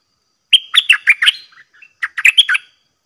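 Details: Caged red-whiskered bulbul of the 'dok taeng' type, challenging bold wild birds, repeats its song twice: a whistle, then five quick loud chirps, a few soft notes, and another rolling chirped phrase.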